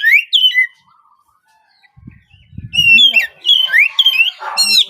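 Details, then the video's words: Oriental magpie-robin of the spotted young kacer trotol type in a morning lure song. A quick whistled phrase is followed by a gap with low muffled thumps, then a lively run of looping whistles and upslurs. "Cocok untuk pancingan Kacer trotol bahan agar lekas bunyi di pagi hari!"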